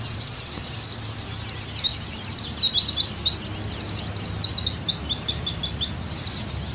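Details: High-pitched Oriental white-eye song, used to get a pleci back into strong singing: scattered thin chirps lead into a long, rapid, evenly spaced series of downslurred notes lasting several seconds.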